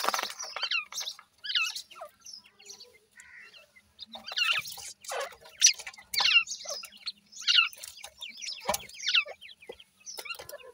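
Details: Grey francolin female with her chicks: bursts of thin, high chirps, many sharply down-slurred, come in irregular clusters with short quiet gaps, some notes overlapping as several birds call together.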